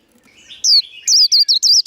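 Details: Short burst of líu đấu, the white-eye fighting warble for firing up rivals: soft lower twitter rises into one drawn high note, then four quick piercing hooked whistles.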